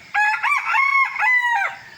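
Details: A rooster crows in the early morning, one long crow lasting about a second and a half, with several linked parts and a bright, wavering, almost sung tone.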